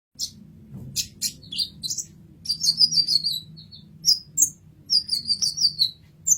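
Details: Sunbird, locally called kolibri ninja, in a masteran recording used for tutoring songbirds; very high thin chirps and short trilled sweeps in quick irregular bursts, with a faint low hum underneath.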